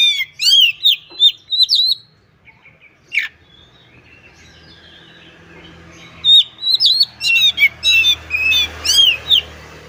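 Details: Caged white-rumped shama (kacer) singing a burst of whistled phrases, pausing with one sharp note amid soft background noise, then resuming a rapid series of upslurred whistles.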